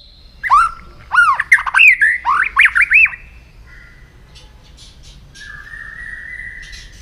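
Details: White-rumped shama giving morning training song, a burst of swooping, looping whistles for two and a half seconds, then a long faint steady whistle after a quiet gap.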